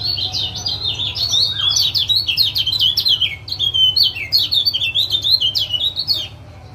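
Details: Male lemon-bellied white-eye from Lombok giving rapid 'ciak ciak' chatter, played to coax a quiet caged male into singing: a dense string of sharp, high, zigzagging chirps lasting about six seconds, then fading, with a low background hum.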